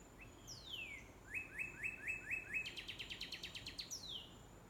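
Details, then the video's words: Northern cardinal perched in rainbow eucalyptus gives clear whistled song, opening with a falling slur, then a string of five even slurred notes that quicken into a rapid series of about ten notes and a final descending whistle. "Red cardinal sings in rainbow eucalyptus"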